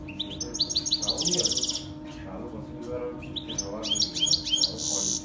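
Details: Saira canary song played for training young canaries to sing: fast, ringing high trills and rolled buzzy phrases, with quick rising notes and brief pauses, over a faint steady hum.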